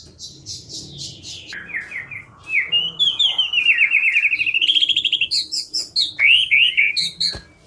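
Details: White-rumped shama singing in a lively lure recording used for trapping and to prompt silent birds to sing: varied whistled phrases, a descending run of short notes, then a long rapid trill at steady pitch, ending with sharp high notes.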